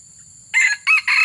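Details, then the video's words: Red junglefowl crow recorded while luring wild junglefowl: three hoarse, buzzy syllables after a short pause, the second brief and the last drawn out, with a steady high hiss in the background. "Suara aneh dalam video mikat ayam hutan"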